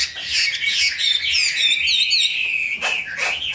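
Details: Kept Chinese hwamei gives a short burst of rich whistled and warbled song with quick trills, loud and continuous, over light background rustling.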